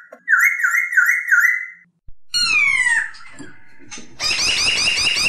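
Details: Masked laughingthrush, known locally as poksay hongkong, singing: a wavering whistled note near one pitch trills up and down for about two seconds, then after a pause a clear whistle slides downward, followed by harsh, buzzy chattering.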